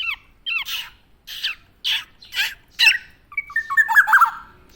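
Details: Tame black-naped oriole from Java with a series of rough squawking notes roughly every half second, then a warbling whistled phrase.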